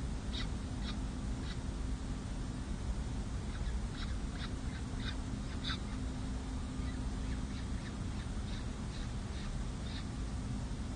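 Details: Four peregrine falcon chicks, six and seven days old, being fed by a parent at a nest on San Jose City Hall, May 7, 2024: thin, high cheeping notes in irregular bursts throughout, under a loud low rumble.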